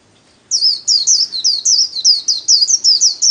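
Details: White-eye 'líu' solo song from the Vietnamese bird-keeping hobby, played for daily training of kept birds. After a short silence comes an unbroken run of very high, slurred, sweet whistled notes, about four per second.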